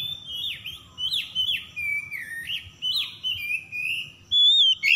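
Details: Oriental magpie-robin song used to trigger singing in stressed birds: a sequence of rising-then-falling whistled notes at steady pace, closing with a loud pure sustained whistle.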